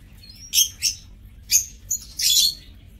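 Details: Aviary lovebirds calling: a thin rising whistle, then a run of shrill, high chirps and a harsh, rasping burst at the end.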